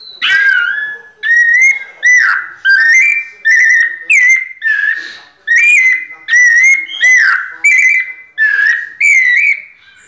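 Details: A kept White-necked thrush sings its "pianado" song of loud, clear, fluty phrases, about eight in ten seconds, each a short run of rising and falling whistled notes with brief pauses.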